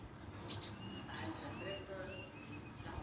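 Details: Java sparrow lure call meant to draw a reply: a quick cluster of high, thin, bell-like chips over about a second, over a low background hum.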